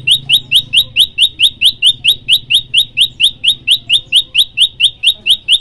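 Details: Olive-backed tailorbird singing to prompt other birds to join in: a very regular string of clipped, high, rising chip-like notes, a little over two each second, held without a break over a low background hum.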